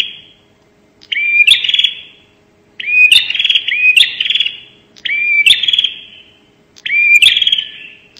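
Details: Lure call of a bar-winged prinia, prenjak nembak style, for drawing birds in: four loud phrases, each a quick upslurred note breaking into a harsh, buzzing trill that fades, with gaps of about a second.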